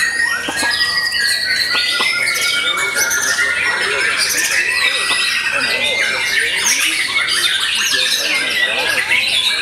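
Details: White-rumped shama after moult, a vocal bird singing: dense, continuous warbling of varied whistles, sweeps and rapid trills, layered and overlapping with other bird calls throughout.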